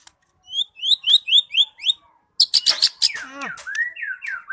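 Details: White-rumped shama (murai batu) in full, vigorous song: a row of sharp, rising chirped notes, a short pause, then a burst of loud clicks, rattles and varied sweeping whistles with rich, changing phrases.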